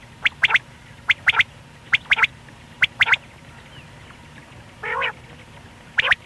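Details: A single male quail, recorded for morning and night hunting, gives sharp clicky notes in quick pairs and triplets about once a second, with one harsh nasal, honking call from another bird and faint soft whistles behind.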